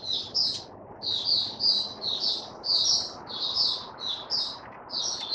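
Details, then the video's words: Male white-eye singing its opening song: bright, high-pitched chirpy notes in short clustered phrases, repeated roughly every half second over faint background hiss. "Mata Puteh Raja Stablizing his form buka sing"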